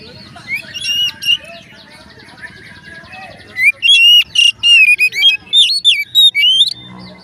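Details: Oriental magpie-robin song, said to set other magpie-robins singing: quiet soft warbles at first, then from about 3.5 seconds loud clear whistled phrases with rising slurs and sharp high notes, delivered in rapid bursts.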